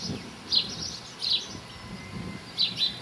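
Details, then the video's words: Close-up common linnet giving brief, high twittering bursts, about four over three seconds, against a low rumble of background noise. "Canto Del Pardillo"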